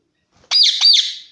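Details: Indian ringneck parakeet kept at home giving one harsh, loud screeching squawk in two quick pulses, raspy and high-pitched, fading at the end.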